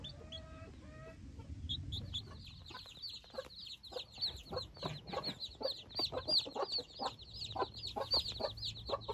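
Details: Newborn Silkie chicks outdoors for the first time with their hens (4 hens, 24 chicks) peep together: high, short, downward-slurred cheeps, about three a second and overlapping, over a soft low rumble.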